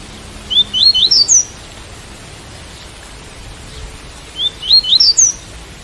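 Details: Tui tui style song of a double-collared seedeater, rain sound included: a short burst of rapid upslurred high chirps, a pause of about three seconds, then a second matching burst climbing in pitch.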